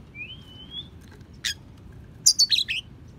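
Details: Oriental magpie-robin (kacer) singing a mimicking tutor song for other songbirds: a thin rising whistle, a lone sharp note, then a quick cluster of high chirps, with a soft low background hum.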